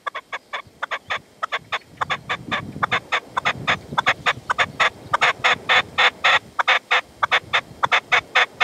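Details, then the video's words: Partridge with decoy (reclamo), sunset in the sierra, Manzanares, 27 February 2014, the male holding back; a loud, dense, uneven chatter of harsh repeated calls running continuously, with low rumbling noise underneath. "PERDIZ Y RECLAMO"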